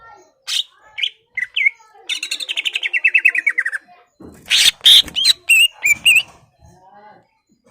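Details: Greater green leafbird singing to stir a rival's anger so it puffs up and fights: scattered sharp chirps, then a quick run of about fifteen buzzy notes sliding downward, followed by loud harsh bursts and short whistled slurs.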